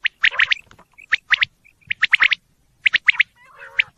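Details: Quail giving quick bursts of two to four sharp, high clipped notes, separated by short pauses. A rougher, lower grating sound is heard near the end.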